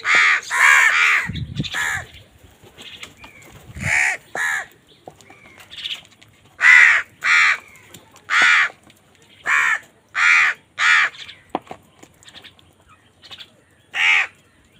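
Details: Loud crows squabbling over food, giving a long series of hoarse, grating caws, roughly one every half second to second, with a few low thuds near the start.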